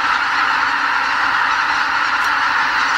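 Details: Dense chorus of greater white-fronted geese, about 80,000 birds, leaving their roost at Lake Miyajimanuma, a Ramsar wetland in Bibai, Hokkaido, before spring sunrise on northbound migration; overlapping nasal honks merge into a steady, unbroken roar.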